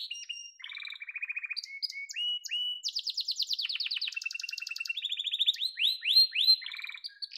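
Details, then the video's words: Yellow domestic canary singing a varied song of rapid trilled tours, buzzy rattles and clear whistled notes, shifting between low and high pitches with quick repeated syllables. "Muhteşem Kanarya Sesi: Sarı Kanarya'nın Efsanevi Ötüşü"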